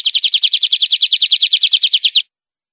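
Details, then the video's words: European greenfinch song from a clean recording used to teach captive birds: a rapid run of about twenty high twittering notes repeated evenly for two seconds, ending abruptly into silence. "Nuevo CD limpio para educar verderones"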